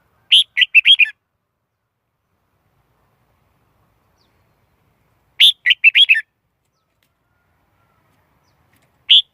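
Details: Red-whiskered bulbul singing: short bursts of five or six bright, chirpy whistled notes, with a phrase repeated about five seconds later and a third beginning at the end, silence between phrases.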